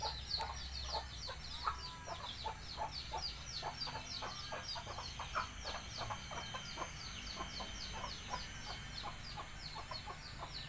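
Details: Hen calling chicks to eat, repeating soft low clucks in a steady, fast series, accompanied by constant high, falling chick cheeps and a faint continuous high whine with low background hum.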